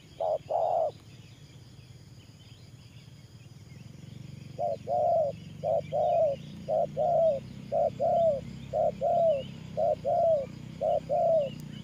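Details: Spotted dove of the Thổ Pha Nước Gù coo style, two coos, then a few seconds of quiet, then a regular run of low rounded coo notes about once a second over a low rumbling background.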